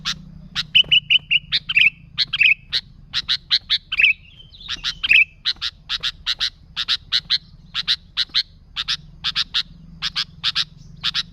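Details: Sooty-headed bulbul in lively song for luring bulbuls: a long, nearly continuous stream of crisp chirps about three per second, broken by several short slurred whistles early on.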